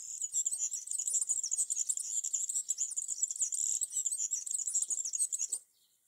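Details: A European serin, in a tree in summer, sings a fast, high, jingling twitter, an unbroken run of thin buzzy notes lasting over five seconds before stopping abruptly.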